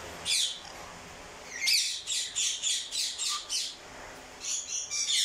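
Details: Crimson-bellied conure giving harsh, broadband squawks in quick bursts, a series of about six short repeated screeches in the middle, indoors with faint background hum.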